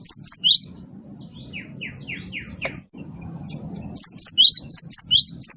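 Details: Great tit, a wingko-type bird in lively voice, used as a lure: bursts of rapid, high, sharp chirping notes open and close the recording, with a run of softer descending slurred notes in between over a low background hum.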